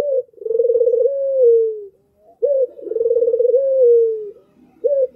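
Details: Clear, clean recording of an albino Barbary dove: a brief upslurred note followed by a long rolling coo that fades downward, given twice.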